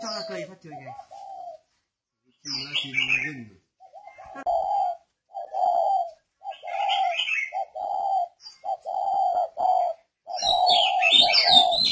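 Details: Spotted dove, a northern Vietnamese decoy bird kept in captivity, coos in a run of even, flat mid-pitched notes about every half second, after brief human talk at the start, with scattered small-bird chirps near the end.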